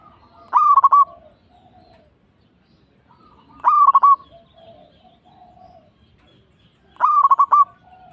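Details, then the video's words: Local zebra dove song used as a lure to make other zebra doves answer: three short stuttering phrases of rapid cooing notes, each about half a second long and repeated roughly every three seconds, with faint softer cooing between phrases. "PANCINGAN PERKUTUT LOKAL PALING AMPUH"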